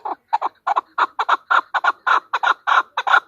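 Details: Calling female chukar partridge: about thirteen loud, gruff clucks in just over three seconds, some paired closely together, with clear quiet gaps between them.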